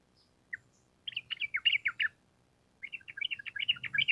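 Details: Sooty-headed bulbul singing energetically in long rapid-fire phrases, a lure for caged birds to reply. After a lone note come two runs of quick, bubbly chirps with a brief pause between them.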